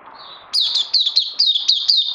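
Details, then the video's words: Puteh, or oriental white-eye, recorded 31 May 2020 on the second day of combined Lava Direct and Life Force: a faint hum, then a burst of quick, high, squeaky down-slurred notes in a steady stream. "Puteh Crazy LG"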